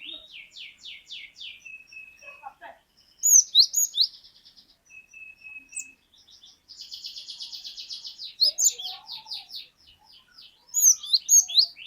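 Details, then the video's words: Cinereous tit (glatik batu) singing 'wucit wucit' in long sequences: repeated high chirps, a thin sustained whistle, loud sharp upswept notes, and a dense buzzy trill in the middle. "Glatik Batu Gacor Glatik Batu Bahan Auto Ngeplong Wucit Wucit Panjang"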